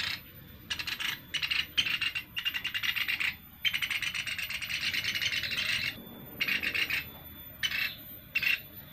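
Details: Sunda pygmy woodpecker lure call for trapping; long harsh rasping rattles, some lasting over two seconds, broken by short pauses, with steady low background noise.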